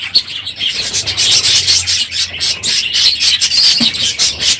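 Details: Crowded aviary of budgerigars at the end of the breeding season, noisy in the morning; steady shrill twittering and scratchy chirps from many birds, a thick unbroken wall of high calls.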